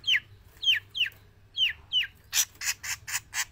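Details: Javan long-tailed shrike singing without pause, in or out of the cage: five clear down-slurred whistled notes, then a fast run of rough, harsh bursts.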